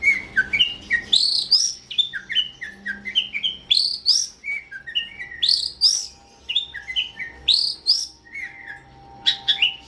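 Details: Long-tailed shrike (cendet, pentet) singing masteran training song for other songbirds: a fast, varied run of chirps, whistles and harsh scratchy notes, phrases repeated in bursts, with a faint steady hum behind.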